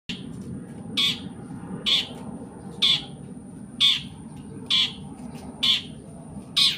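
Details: Long-tailed shrike mimicking other birds, including prenjak and sparrow calls: short harsh squawking notes repeated about once a second, with a constant thin high tone and low rumbling noise behind.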